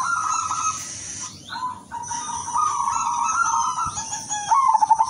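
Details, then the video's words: Silver zebra dove singing, meant to lure other doves and for therapy. Smooth cooing notes, some held and slightly falling, end in a quick pulsed rattle. A continuous high-pitched whine sits in the background. "PERKUTUT SILVER SUARA MERDU UNTUK PANCINGAN DAN TERAPI"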